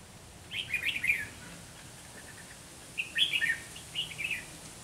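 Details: Red-whiskered bulbuls singing against each other at a trapping spot with a caged decoy: two bursts of fluid, bubbling phrases separated by a short run of quiet notes.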